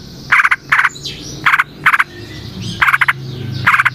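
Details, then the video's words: Lure recording of a Yellow-vented bulbul. Grating, pulsed chatter bursts arrive in pairs with short pauses, and soft sliding whistles sound faintly in the background. "Trucukan GACOR ngalas ROPEL PANJANG suara alam AMPUH buat pancingan"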